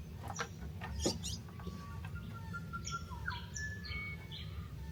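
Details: Birds chirping outside a cabin by a lake: short high chirps and a few clear whistled notes over steady background rumble and rustle.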